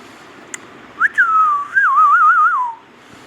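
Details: Indian ringneck parrot whistling a short tune: a rising note and a long falling slur, then a quavering, wavering whistle that slides down and fades, about two seconds in all, in an otherwise quiet room.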